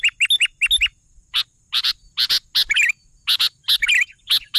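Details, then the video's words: Sooty-headed bulbul singing: short, loud bursts of bubbly notes in quick clusters, some slurred and warbling, separated by brief gaps, with a faint steady high hum throughout. "suara burung kutilang gacor"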